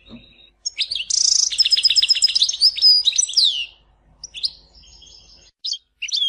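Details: European goldfinch singing at Tizi Ouzou: a brief harsh buzz leads into rapid, ringing twitters and a downslurred note, followed by sparse chips and short phrases.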